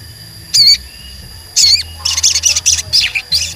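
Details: Crimson Sunbird singing, played as a lure to make other birds sing and grow agitated: two strong, high, wavering notes a second apart, followed by a continuous, excited burst of bright chirps.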